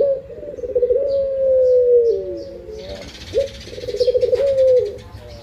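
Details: Pet Barbary dove (puter) cooing in the morning, two low drawn-out coos in a row, each beginning with a rolling flutter and ending in a smooth, slightly falling held note.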